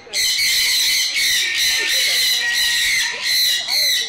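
Sun conures screech loudly and nearly without pause in harsh, grating bursts.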